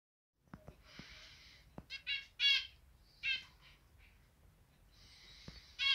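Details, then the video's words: Pet zebra finches, a pair kept with three young that left the nest three days earlier and now feed themselves with parental help; scattered nasal, buzzy harmonic notes in short bursts separated by quiet gaps, with faint clicks. "Zebra Finch singing its heart out"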